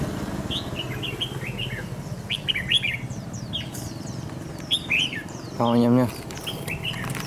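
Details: Red-whiskered bulbul, a wild-caught bird with a dark bib, used in trap fighting. It gives short, bright chirping notes in loose clusters through the recording, with a louder phrase near five seconds. A brief low buzzing harmonic noise and a steady rumble sit in the background.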